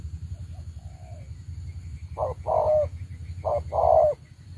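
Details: Spotted dove kept as a decoy bird for trapping, giving two paired coos, each a short note followed by a longer, slightly falling coo, over a steady low rumble of background noise.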